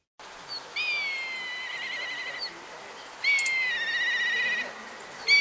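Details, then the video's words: Black kite calling: two long, high whistled cries, each starting higher and sliding down into a quavering, wavering trill, separated by a pause of about a second, with faint background hiss. "Nibbio Bruno - Milvus Migrans"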